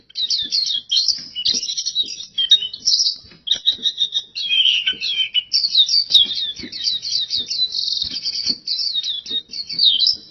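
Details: Nonstop energetic song of a pleci, the oriental white-eye: ten seconds of fast, high, squeaky chirps and trills strung closely together, varying slightly in pitch throughout.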